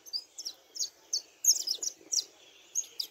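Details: Thin, high saffron finch chirps and short slurred notes in an uneven series, softer and slightly muffled, with a faint background hiss.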